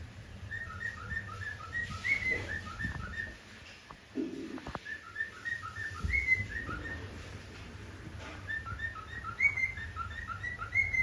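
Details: Cockatiels at play give steady strings of short, soft whistled notes, with a few brighter rising whistles.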